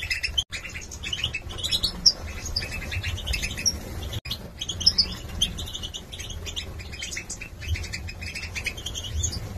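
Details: Young male Major goldfinches from 2022, Gladbeck, singing a dense, fast twittering song of sharp high chirps and buzzy trills in quick bursts, with a steady low hum underneath and a brief dropout near four seconds.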